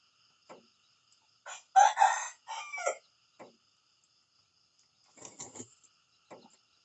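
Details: Rooster crowing in the morning: a short note, then a loud, harsh, drawn-out crow lasting over a second, followed later by a fainter broken crow and a few brief clucks.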